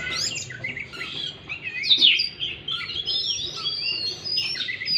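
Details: Oriental magpie-robin song meant to prompt a stressed bird that has gone quiet: dense, continuous stream of high twittering, slurred whistles and sharp downward notes, with no pauses.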